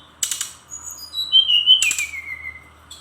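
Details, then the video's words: Brown-chested jungle flycatcher, Bali bird, singing: a harsh buzzy burst, then a clear whistled note sliding slowly down from high to lower pitch, another rasping burst partway through. "Kumpulan Kicauan SRDC Gacor Nratak Nembak Isian"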